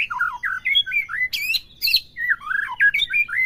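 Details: White-rumped shama song for provoking a captive bird: low slurred chattering whistles broken by two harsh high bursts, then more twisting whistled phrases.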